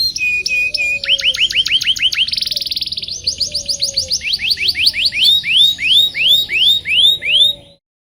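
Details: Canary song meant to teach young canaries to sing: rapid repeated upswept chirps in rolling series, a buzzy trill near the middle, then slower looping whistles about three per second, loud and clean.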